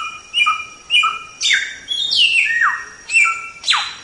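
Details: White-rumped shama song for training cage birds, with repeated two-note whistles broken by loud sweeping downward slurs and a lower descending whistle.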